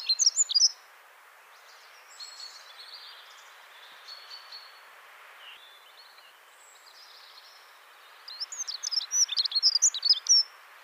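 A Dunnock sings a high, hurried warble of thin squeaky notes, with a fuller burst at the start and end and fainter trills between over a quiet hiss.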